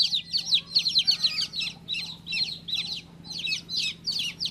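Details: Newly hatched chick giving loud, high, clipped peeps in quick bursts, each note a brief downward-sliding whistle, with short pauses between runs and a quiet hum behind.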